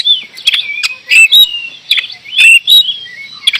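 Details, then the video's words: Indonesian oriental magpie-robin, known locally as kacer, in full 'gacor' song: clear whistles that slide up and down, broken by short harsh rasping bursts at irregular intervals. "Kacer gacor door"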